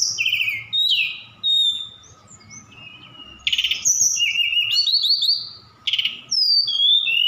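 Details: Song of a Javan bush lark sent from Sukabumi, rich with mimicked cililin and sikatan londo phrases; quick chattering bursts, rasping trills and bright sliding whistles follow one another almost without pause over a faint steady hum.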